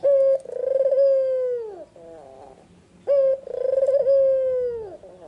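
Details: Two loud, clear song phrases from a white red-eyed Barbary dove in the afternoon. Each has a short level start, then a long coo that throbs, steadies and bends downward, with gentle murmuring between the phrases.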